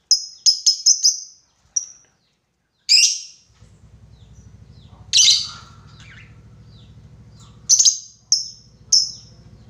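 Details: Lovebird lure recording of rival-calling in the long 'ngekek' style: a quick burst of shrill clipped notes, then scattered raspy screeches and sharp chirps, with a steady low hum underneath from about the middle onward.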